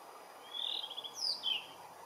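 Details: Blue rock thrush singing under a blue sky: a short phrase of clear whistled notes, a level warble followed by two quick higher descending whistles, over faint background hiss.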